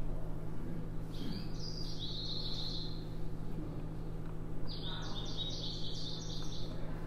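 American Goldfinch song: two quick bursts of high, twittering, slurred notes, each lasting a second or two, over a steady low hum.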